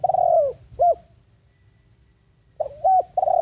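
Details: Spotted dove decoy calling wild doves in: a long falling coo and a clipped hoot end one phrase, then after a pause a new phrase starts with short notes and another drawn coo.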